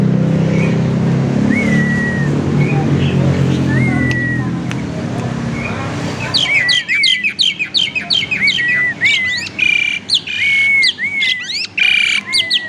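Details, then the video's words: Asian pied starling kept in captivity, lure song meant to trigger singing: spaced slurred whistles at first, then dense rapid whistled and chattering phrases, with a low background rumble early on. "Burung Jalak Suren Super Gacor, Pancingan Jalak Suren, Jalak Suren Bunyi Variasi"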